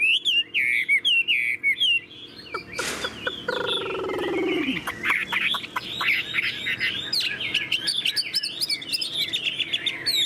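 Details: Caged, very tame Chinese hwamei singing repeated looping whistles, interrupted by a brief loud knock and a short spoken hum, then resuming with rapid varied warbling phrases.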